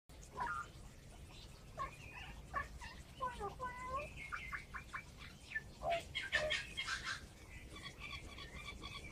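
An Australian magpie runs through a quick medley of mimicked sounds: warbling whistles, short falling notes, harsh bursts and clipped bark-like calls, with little pause between them.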